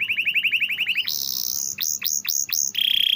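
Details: Canary training song: a run of quick repeated rising notes, a high buzzy trill, five well-spaced downswept chirps, then a fast thin trill.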